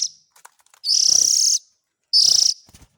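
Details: Young Oriental magpie-robin calling to lure adult birds: a long, intense, rasping hiss of nearly a second, then a shorter pulsed burst, with faint ticking around them.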